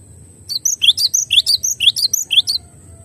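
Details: Glatik batu, the cinereous tit, in a clear tutor recording. It gives a steady run of piercing, high, downward-sweeping notes, roughly two each second, for about two seconds, then stops. A faint constant high tone lingers behind.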